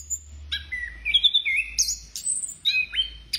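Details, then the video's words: An orange-headed thrush sings a rapid, varied run of clear whistles and sharp high notes, shifting pitch from phrase to phrase with hardly a pause. "Burung Anis Kembang Gocor Banget"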